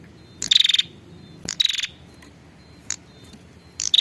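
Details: Female prinia calling the male, a lure sound used to attract males: three short bursts of high, sharp, buzzy notes, each about a third of a second, with a thin steady whistle-like tone between them.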